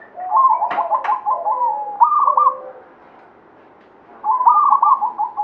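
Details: Local zebra dove, Banyumili katuranggan, delivers a long bubbling trilled phrase, then a sharper rolling coo. After a brief pause a further trilled phrase begins. Two short clicks sound early on.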